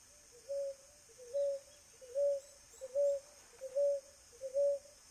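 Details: Wild ruddy ground dove, free in nature in Brazil, giving a steady run of soft mellow coos, each brief and level-pitched, spaced under a second apart, with faint insect drone above.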